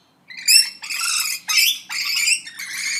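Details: Parrot squawks: four drawn-out, raspy, harmonic calls, each roughly half a second long, delivered back to back with brief pauses, the first sharper and slightly rising.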